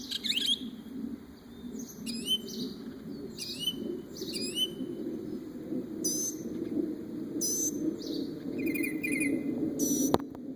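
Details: A bird imitating many different noises: a series of short, sharp, hooked chirps and whistles at irregular intervals, some buzzy and trilled, over a steady low hum in the background.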